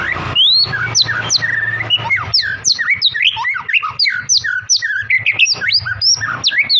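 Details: White-rumped shama singing energetically in one long breath while bowing: a rapid, varied run of clear whistled slurs, rising and falling sweeps and sharp chips, crowded together without pauses, over a steady low hum.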